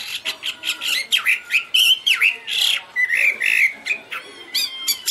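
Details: Chinese hwamei in full song, a varied stream of loud whistles, sweeping slurs and squeaky notes, some dipping down and back up, delivered in quick bursts with brief gaps between phrases.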